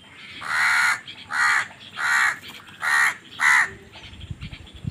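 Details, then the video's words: Crows, possibly squabbling over food, giving five harsh, hoarse caws about 0.7 seconds apart, each rich and buzzy, followed by a quiet stretch with faint background rustle. "Crow Bird Crowing Sounds"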